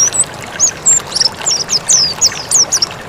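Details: High-pitched mountain white-eye song for training birds, starting with a few spaced thin whistles, then accelerating into a run of quick descending slurs and chirps above a soft hiss.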